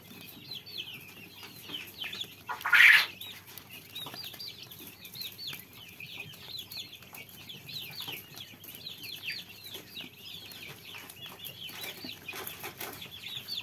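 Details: Many quail chicks peeping steadily in high, wavering chirps, broken near the third second by a brief loud clatter, then the soft chorus carries on evenly.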